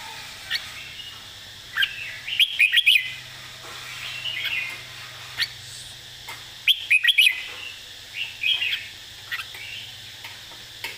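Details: Red-whiskered bulbul repeating a 'master song' phrase: two loud bursts of four or five rapid, rich whistled notes, about four seconds apart, among softer chirps and short whistles from surrounding birds.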